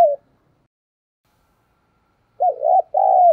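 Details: Spotted dove decoy in giọng thổ voice, used to incite cooing; the tail of one falling coo, a pause of about two seconds, then a full phrase of a wavering note and a long, level-then-falling coo.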